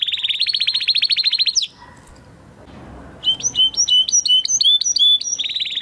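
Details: A Spanish Timbrado canary from 2020 breeding, in a training song, sings a fast, high rolling trill, pauses, then runs a string of bright metallic repeated notes before the trill returns.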